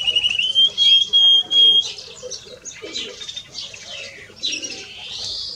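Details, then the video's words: A pair of greenfinches, male and female: three clear, level whistled notes open, followed by harsh, buzzy, wheezing twitters spread over a wide high range. "Male and Female of Greenfinch - Cantec de Florinte"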